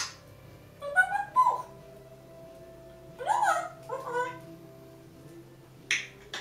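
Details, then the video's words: Pet African grey parrots near bedtime, perched on a kitchen door: soft intermittent squeaks, a drooping whistled note and short muffled chatter over a steady low household hum. "African Grey parrots bedtime noises!"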